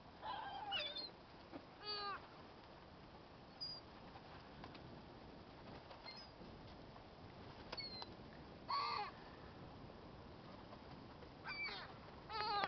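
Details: Hungry gulls calling in short bursts: quick laughing, stacked cries in small clusters, with long quiet gaps between them and a steady low background hum.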